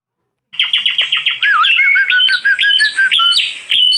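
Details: Asian pied starling offered for sale: a quick run of short clipped chirps opens, then loud varied whistles, slurred rising and falling notes and scratchy fragments that continue without pause.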